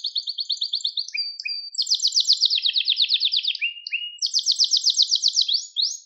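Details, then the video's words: Canary singing to train young birds: a string of rapid trilled tours of repeated notes, a couple of short lower chirps, then a high, fast rolling trill ending in upslurred notes. "Orjinal Kanarya Sesi 2021 Kanarya Kızıştırma Kanarya Ötüşü"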